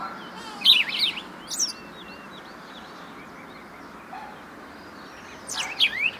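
House sparrow giving sharp, bright chirps in three short bursts, with fainter distant bird notes and a steady background hiss.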